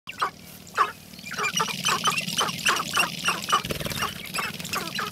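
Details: Sharp-tailed grouse displaying in spring give a busy chorus of short, clucking, cackling notes, overlapping at about two per second, over a low steady rumble.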